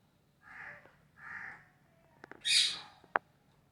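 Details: Parrot recorded on August 26, 2023 while playing: two soft mid-pitched squawks, then short clicks and a loud harsh screech near the end, followed by a sharp click.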